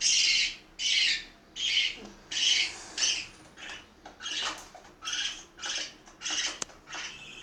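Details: Harsh, raspy squawks from parakeets kept at a house in Itaim Paulista, São Paulo, at feeding time, about ten in a row, the early calls loud and the later ones softer with faint clicks behind.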